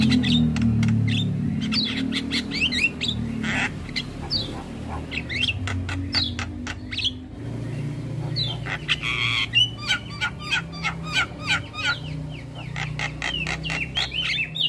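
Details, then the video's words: Starling song as a training lure: dense, fast chattering clicks and squawks, with a buzzy burst midway, over rumbling background noise. "MAsteran & Pancingan Segala Jenis Burung Jalak Wajib Langsung Buka Suara"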